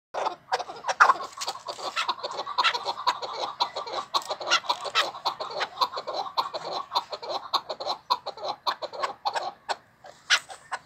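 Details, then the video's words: Chukar partridge calling strongly: a dense, rapid run of sharp clucking notes, the loud bursts rising and falling in strength across the whole stretch with hardly a pause. "keklik sesi MÜKEMMEL ÖTÜYOR"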